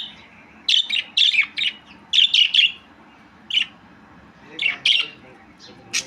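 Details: Budgerigar calling in rapid high chirps, mostly paired or tripled notes, some dipping slightly in pitch, spread across several seconds with short gaps; steady low hum in the background.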